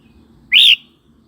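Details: Red-whiskered bulbul, a song for teasing new or wild-caught birds and coaching young birds; one strong, clear whistled slur going up then down, roughly a quarter second long, with low background noise.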